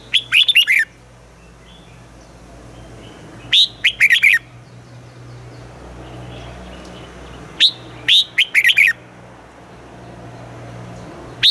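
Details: Caged Thai red-whiskered bulbul singing to stimulate other birds in the southern master style: short bubbling phrases of clear whistled notes, repeated roughly every three to four seconds over a faint low hum.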